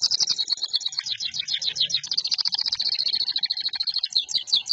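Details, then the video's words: Local canary singing a continuous high, rapid trill of sharp repeated notes, rolling without pause, with low background rumble. "Kenari Lokal Durasi Aman Volume Ngejoss"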